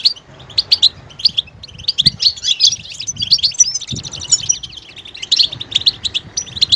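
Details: Goldfinch readiness and mating calls called betbeta, meant to stir males into song: bursts of sharp high chirps, a run of thin drawn-out whistled notes in the middle, then renewed quick twittering, with soft low knocks.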